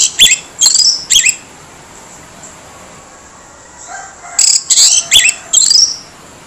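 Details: Orange-headed thrush with a harsh voice, used to trigger silent birds into responding: two groups of rough, buzzy high notes, three or four quick bursts each, separated by a three-second pause over a steady hiss.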